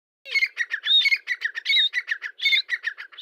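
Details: Grey francolin calling, a rapid run of harsh, squawky notes repeated through about three seconds with no pause, opening with one low downslurred note.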